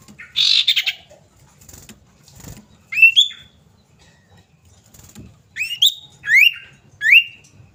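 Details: A female common iora calls for a male, played as a lure: a buzzy rasping burst opens, followed after a pause by clear rising whistled notes repeated about every half second, with faint background thumps.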